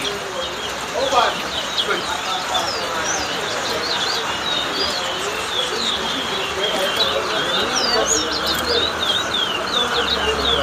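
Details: Towa-towa (large-billed seed-finch) at a bird whistling competition in Lusignan, Guyana: quick, sweet whistled notes and warbled phrases run on without pause, with crowd chatter and a low background hum.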